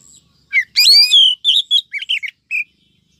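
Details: Female Oriental magpie-robin calling to excite males and draw in wild birds, from a 2023 trapping lure recording: a quick jumble of bright chirps and short whistled notes, then scattered clipped tweets and a final single note.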